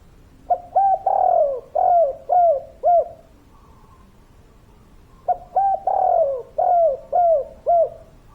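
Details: Two full coo phrases by a busily calling spotted dove, each opening with quick short notes, swelling into a long downslurred coo and closing with three evenly spaced falling coos.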